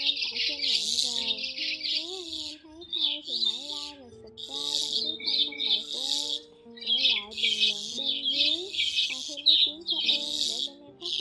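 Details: Migrating white-headed starlings chatter in harsh, buzzy bursts every second or so over steady melodic backing music, in a recording used as a trapping lure.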